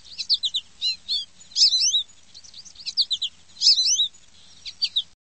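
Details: High, sharp sparrow chirps: clusters of rapid, twisting tweets repeated in short bursts, separated by brief gaps, with no other clear sounds.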